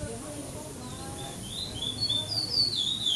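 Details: Chestnut-bellied seed finch in brown plumage competing in the 2014 Maranhão praia clássico song tournament, stage 7, São Domingos do Maranhão, Brazil; after low background chatter, bright slurred whistled notes rise in the second half, each sliding downward.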